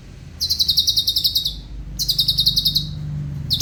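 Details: Cucak cungkok, used by bird keepers as a vocal tutor for other songbirds, which can mimic other birds. Two fast, even trills of high, sharp notes, each around one second, over a low droning background.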